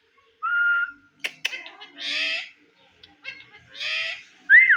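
A ringneck parakeet's talking: a clear whistle, a few clicks, two raspy, speech-like bursts, and a final sharp rising whistle.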